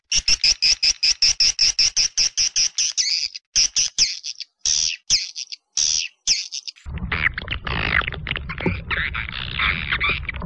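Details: Edible-nest swiftlet lure recording, PJW old style, for attracting birds to nesting houses: a fast run of evenly spaced shrill chirps, then broken bursts with silent gaps, ending in a denser, rougher chatter over a low rumble.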